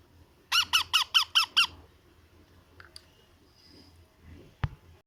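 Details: Young parrot at feeding time: six evenly spaced, raspy pulsed begging notes in quick succession, followed by soft clicks and a sharp knock in a small indoor room.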